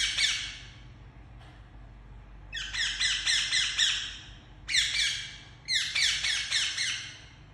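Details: A pet Indian ringneck parakeet chirps very loudly in three rapid series of harsh, piercing notes, each series lasting one to two seconds with short pauses between.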